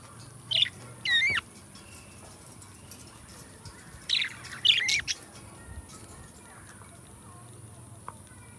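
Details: Caged pair of budgies, best friends, singing; two clusters of sharp, squeaky chirps and bent whistled notes separated by a few quiet seconds, with steady background hiss.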